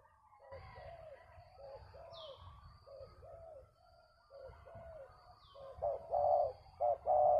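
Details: Spotted dove calling while luring a bird down, part of traditional dove-trapping craft: repeated soft, hollow coos in paired phrases, quieter at first then louder near the end, with a low rumbling background and faint high chirps.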